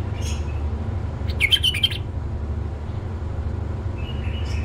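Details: One brisk, chattering warble from a tame male bulbul lasts about half a second and is followed by soft whistled notes, with a low humming background throughout.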